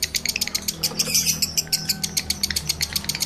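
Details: Male lovebird in breeding condition. Quick bright chirps come in a steady rattling series, about four per second, over a soft low background hum.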